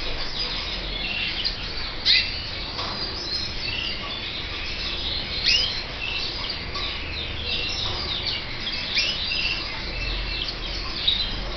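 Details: Red mosaic canary chicks from the 2014/2015 season give thin, high chirps and peeps in scattered bursts, a few sharper notes standing out over a steady background hiss.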